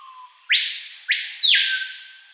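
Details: Screaming piha from the Amazon rainforest: a quiet low introductory note followed by an explosive, ringing two-part whistle that leaps steeply upward, sustains, then drops, over a constant high-pitched insect hum.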